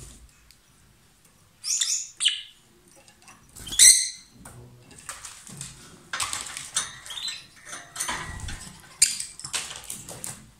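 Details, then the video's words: A lovebird pair, reportedly kissing and trading food, giving a few sharp, high squeaky chirps between long stretches of rustling, clicking and shuffling noises. "Gli inseparabili | 20minutes Love birds Sound"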